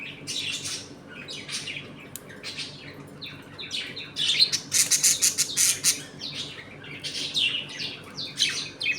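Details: Budgerigars in a household colony eating, playing and quarrelling; lively warbling chirps and rasping squawks, rising to a rapid dense burst midway, then continued chattering.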